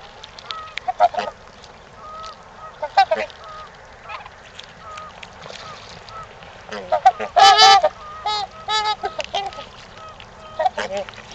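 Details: Scattered soft honks from trumpeter swans at Gallup Park in Ann Arbor, Michigan, in mating season, building to a loud cluster of harsh trumpet-like calls near the end, then tapering to single notes.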